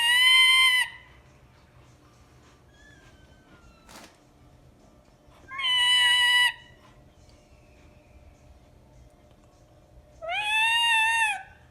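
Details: Three loud, raspy screeches from a pet ring-necked parakeet, spaced about five seconds apart, each nasal and harmonic-rich, with a faint click and soft background sounds between calls.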